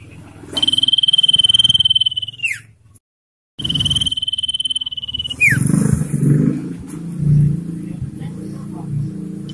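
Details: Common iora singing in 'ngetir' style, for luring wild birds and training captive ones: a long high rapid trill sliding down at its end, a short pause, a second trill and downslur, then low rumbling noise.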